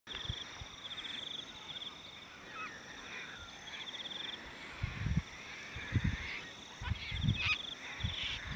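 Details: Australian spotted crake recorded 15 February 2023, giving two bursts of rapid, high chattering trills a few seconds apart, over a steady high hum and low wind rumble.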